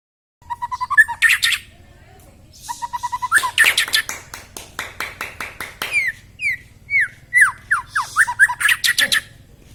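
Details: White-rumped shama song for prompting reluctant shamas to sing: mixed phrases of clear whistles, rapid chattering bursts and a run of short descending slurred notes, varied and energetic throughout.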